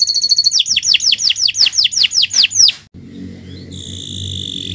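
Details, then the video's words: Canary song used as a training model for other birds: a rapid series of high, downward-sweeping notes repeated about five times a second, then a sustained high buzzy trill over low background noise. "Kicau Burung Kenari 174 II LUAR BIASA GACOR PANJANG Cocok untuk Masteran"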